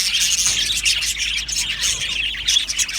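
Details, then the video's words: Dense chirping from an Australian budgie aviary colony: overlapping warbles and tweets crowded together, loud and even for the whole stretch. "Australian Budgie parrot chirping sounds"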